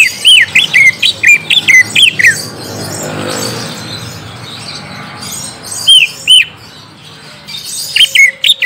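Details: Lure for a young green leafbird to answer: an opening string of loud, high, looping whistled notes, a long quiet stretch, then renewed bursts of the same bright curling phrases.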